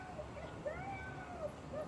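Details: One of two captive bald eagles in an open-air aviary at the Bronx Zoo gives thin, high whistled chirps, about five short piping notes over two seconds, over a low hum; its real call differs from the film version.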